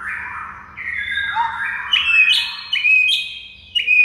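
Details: White-rumped shama in a training recording for mute shamas; rich tumbling whistles sliding down then up, with sharp high clicks and bright accented notes toward the end.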